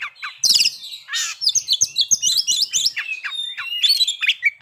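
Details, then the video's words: Caged kacer (white-rumped shama) in full song to provoke breeding condition and aggression: a rapid jumble of high whistles, scratchy notes and ticking chips delivered almost without pause. "pancingan agar kacer capat birahi dan emosi terampuh"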